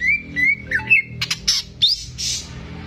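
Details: Greater green leafbird kept in a cage, in full voice to provoke untrained birds, gives a long whistled note, then quick harsh buzzy bursts and rasping squawk-like phrases.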